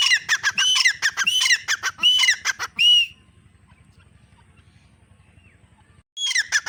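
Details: Female grey francolin giving harsh, whistled, rising phrases in a rapid series for three seconds, then near silence with a faint low hum, before calling resumes at the end.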